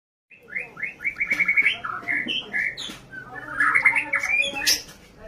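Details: ['White-rumped shama in prolific fighting-style song meant to provoke rivals: a dense, unbroken run of rich whistled notes, rapid chirps and trills, rising and falling in pitch, with sharp clicks between phrases.']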